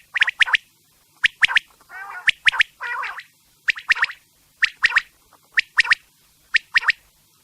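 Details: Night quail calling: sharp, high, clicking notes in tight pairs and triplets repeat about once a second, broken by two short, harsh, nasal buzzy bursts near the middle.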